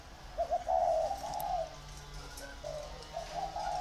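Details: Fainter cooing from two competing decoy spotted doves: a few low, muffled phrases with a pause in the middle, over a quiet background.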